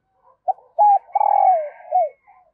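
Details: A female dove calls to stimulate males with a single phrase: a short coo, a hooked note, then a long, full coo falling in pitch, ending in a brief downslurred note and a faint trailing murmur.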